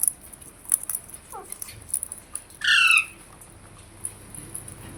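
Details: Parrot uttering a single harsh, buzzy call with stacked harmonics lasting about a third of a second, loud against a quiet background with faint clicks and a steady high hiss.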